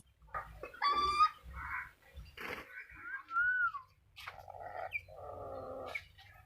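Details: Black-capped lory giving a mix of clear whistled notes, one gently rising and one arching, between harsh nasal squawks and short rasping bursts, with a low background hum.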